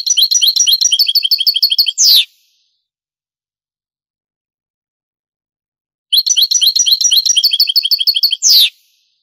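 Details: Two phrases of European goldfinch song in the Andalusian Granada style, old Spanish recording from the 1980s–90s: each a dense, rapid string of high chirping notes ending in a sweeping buzzy note, separated by about four seconds of silence.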